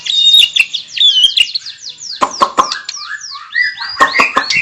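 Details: White-rumped shama song: high sweeping whistled slurs, some rising then falling, interrupted by loud sharp clicking notes, delivered in a quick uneven stream over a quiet background.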